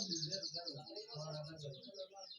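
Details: A caged canary at a bird shop, praised by the seller as singing very well, gives rapid, high, rolling trills that run on without a break, with a man talking over them.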